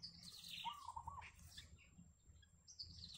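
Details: Yellow bittern nest with a family of chicks: a slurred chirp drops from high to mid pitch, then a short wavering mid-pitched trill follows, with later faint high chirps over a low background hum.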